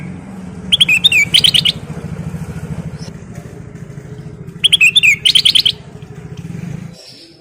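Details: Black-crested bulbul, kutilang emas, singing in full nyiul style: two bursts of bright, rapid chirps and twittering notes, each about a second long, over a steady low motorcycle engine hum.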